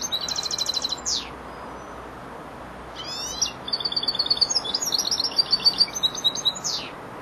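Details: Young goldfinch, four months old, practising phrase endings: a short twittering burst with a downward-sweeping note, a pause, then a long run of rapid tinkling and buzzy notes ending in another descending slur.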